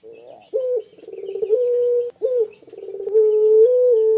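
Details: Male puter pelung, a Barbary dove kept for its long voice, calling steadily and sounding mournful: low, smooth cooing notes held at one pitch, broken by short rolling stutters, with two strong phrases about one and a half seconds apart.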